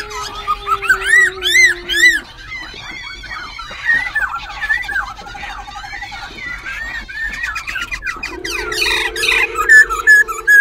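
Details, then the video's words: Wild-caught white-browed laughingthrush, perched at Tân Túc, Bình Chánh, Ho Chi Minh City, sings while fanning its tail and wings and keeps changing tunes: varied loud whistled phrases swooping up and down with quick chirps, over a low steady hum. "Khướu Bạc Má Bổi Lỡ Hót Múa Đuôi Cánh Đảo Giọng Liên Tục"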